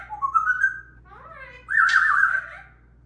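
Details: A squabbling group of three parrots: a rising whistled phrase, soft descending slurs, then a loud, buzzy, wavering call with a brief harsh burst.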